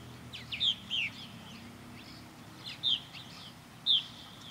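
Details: Purple martins circling a backyard bird house give four spaced, rich gurgling chirps about a second apart over a soft low hum.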